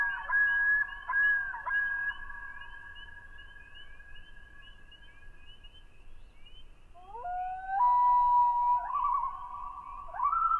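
A common loon gives long, mournful wailing notes, then steps up into higher, wavering yodel-like phrases. Faint ticking sounds run underneath.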